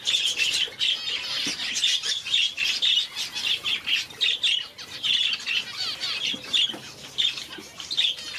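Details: Red-faced and blue-faced parrot finches giving high, thin, sharp calls, repeated roughly every half second in short bursts over a busy background of softer twittering from several birds.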